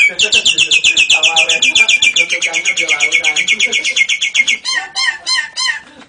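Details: Singing Nias hill myna imitating lovebird and canary: a long, even rattle of rapid high repeated notes lasting over four seconds, followed by a few slower looping whistled phrases.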